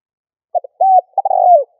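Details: Spotted dove calling to lure and provoke other doves: two quick clipped notes, a level drawn-out coo, then a rolling, tremulous coo that slides downward. The phrase ends abruptly. No other sounds are heard.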